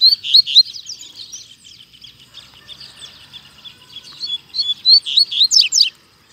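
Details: Double-collared seedeater singing strongly while free in a town square: rapid, very high twittering phrases of sharp chips and short buzzy trills, bursts at the start and again near the end, with little background noise.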